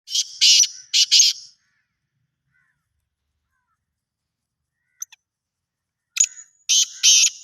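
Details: Black francolin calling: harsh, grating buzzy notes in two groups, each of two or three rasping bursts, separated by several seconds of silence.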